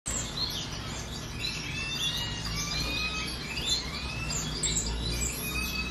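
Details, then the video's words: Colour canaries singing together, a tangle of overlapping whistled and slurred notes, some sliding upward, mixed with twittering chirps throughout, over a steady low rumble. "color canaries"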